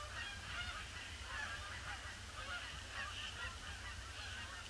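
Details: Canada geese circling over a pond ahead of landing on a dull, grey 26 December; a more distant, blurred wash of honking from many birds, partly masked by strong low wind rumble.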